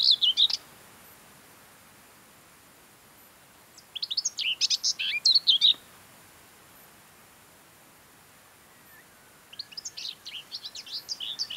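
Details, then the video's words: Common whitethroat in Møre & Romsdal, Norway, in mid-May: three brief bursts of chattering, scratchy song separated by pauses of several seconds, with no other clear sound between them. "Singing Common Whitethroat warbler"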